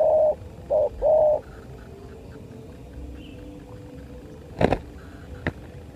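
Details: ['Spotted dove during a fight: three low hollow coos at the start, short, short and drawn-out, then a long quiet stretch with faint background rumble and two sharp knocks.']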